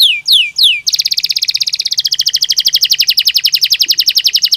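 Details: Belgian canary in natural song, offered as a training aid: three loud downward-slurred whistles, then a long fast steady trill of rapid pulsed notes lasting nearly four seconds.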